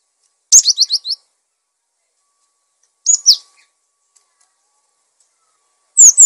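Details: A cinereous tit sings, used as tutor and lure song for cage birds: short bursts of thin, very high, quick notes, first a run of about five, then briefer phrases every three seconds, in silence.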